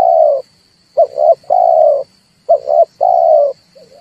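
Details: Red collared dove cooing played as a trapping lure to stir birds into song: paired quick coos followed by a drawn-out level coo, repeated in quick succession, a constant thin electronic whine underneath.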